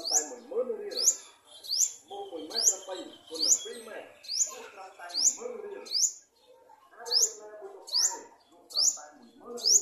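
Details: Olive-backed (garden) sunbird bringing food to feed its young, giving sharp, high, upward-sweeping chirps about once a second, with a steady low murmur of voices or rustling underneath.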